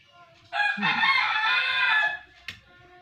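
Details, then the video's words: Pet budgerigar chirping while playing with its owner: one loud, drawn-out harmonic call lasting about a second and a half, like a rooster's crow, followed by a sharp click. "amazing bird chirping sound"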